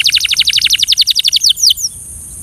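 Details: Belgian canary song used for training birds: a rapid trill of about sixteen repeated high, bright notes that gradually slow and drop in pitch, ending with two or three longer descending sweeps, then a quiet pause.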